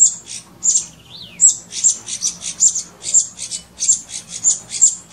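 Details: A streaked laughingthrush at Nainital gives thin, high chipping notes repeated about twice a second, broken once by a short downward-slurred whistle.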